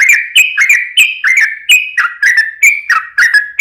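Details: Lure song of a yellow-vented bulbul (trucukan), 'ropel' style: rich warbled phrases of sliding whistled notes, each clustered phrase rising then dropping, over a clean, quiet background.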